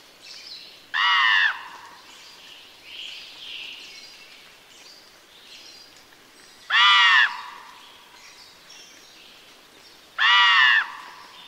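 Three loud, harsh, croaking caws from an adult Common Raven, each about half a second long and spaced several seconds apart, over faint background hiss.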